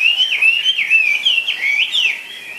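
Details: Caged Chinese hwamei delivering a loud, fluid whistled song of wavering, up-and-down slurred notes run together without pause.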